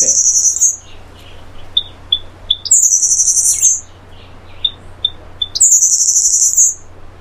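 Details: Black-faced grassquit singing: thin, high buzzy trills about one second long, repeated every three seconds, with soft short chip notes between them.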